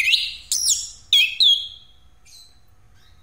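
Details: Short phrases from an orange-headed thrush whose song serves as a lure for other birds: four loud slurred whistles, some sweeping up then down, separated by short pauses, then a fainter trailing note.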